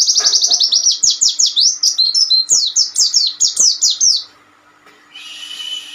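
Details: Oriental white-eye singing as a training master for untrained birds: about four seconds of fast, evenly spaced, high slurred chirps in a continuous twittering series, followed by quiet and a soft hissing buzz.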